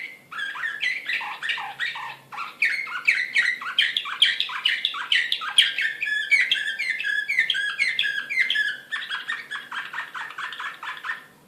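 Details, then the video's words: An excited canary of the Serbian nightingale song type (slavujar), Belgrade, 2016, delivers a long, loud, unbroken song of rapid chirps, rattling trills and dipping whistled notes, finishing with a fast even series. "كناري هائج"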